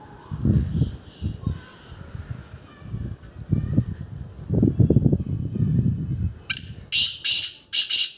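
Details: A black francolin calling in front of a Siberian husky gives a burst of loud, harsh, grating notes after several seconds of low rumbling sounds.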